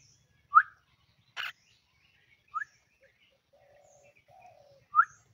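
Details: Home-kept common myna prompted by its owner to say a greeting; three short rising whistled chirps spaced apart, one harsh broadband rasp, and faint low murmuring notes between them.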